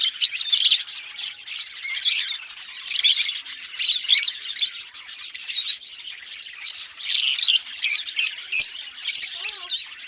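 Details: Green Fischer's lovebirds, a pair, chirping and singing in loud staccato bursts of shrill squawks and twitters separated by short quieter pauses; a faint thud near the end.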